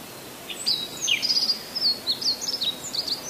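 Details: Wild birds singing at Iwaonai lakeside: rapid high, thin twittering chirps and short whistled slurs, several per second, over a steady background hiss.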